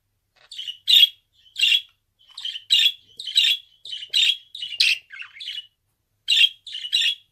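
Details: Pet budgerigar chirping in a steady series of short, rasping notes, about two per second, each with a buzzy twang, with a brief pause near the end.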